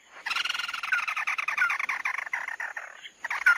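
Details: Continuous rough, buzzy chatter from the red-eye bird, mắt đỏ, laced with faint whistled slurs, pausing briefly before a final burst with a clear downslurred whistle.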